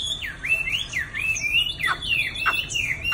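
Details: Chinese hwamei, a caged male nearly two seasons old, delivering loud looping whistled phrases that swoop up and down, followed by sharp descending notes.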